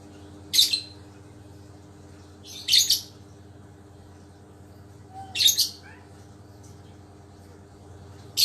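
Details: Pet lovebird, back to health after a cold, tested for whether it still calls eagerly: sharp, high screeching double notes repeated roughly every two to three seconds, four bursts in all.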